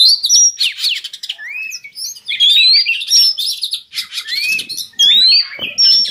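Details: Captive Oriental magpie-robin singing, a lure to lift breeding condition: varied phrases of pure upslurred whistles and high sustained notes mixed with scratchy chatter, loud and close, in bursts of a second or so.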